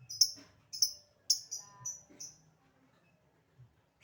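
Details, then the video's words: Lovebird giving short ticking notes before chattering: a run of about six sharp, high, clipped chips at uneven intervals, fading out, then near silence with faint low room sounds. "Burung Lovebird Memanggil Di sertai Ngekek, Di Awali ngetik lanjut ngekek"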